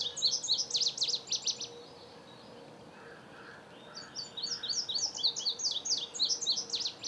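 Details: An indigo bunting at its nest sings two bursts of high, sweeping notes in quick paired phrases, separated by a short pause, over a soft, low hum.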